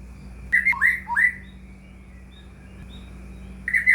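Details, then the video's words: White-rumped shama lure song for a caged shama that is reluctant to sing: a short burst of bright, sweeping whistles, about two seconds of near silence, then another quick whistled burst. "murai batu gacor AMPUH buat PANCINGAN murai batu agar bunyi"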